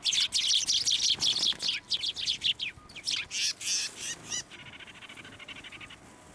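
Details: Sparrows flying onto a hand for food at a Tenmangu shrine, 16 December 2023; loud rapid chattering chirps in a dense run, easing into softer, evenly spaced twitters toward the end.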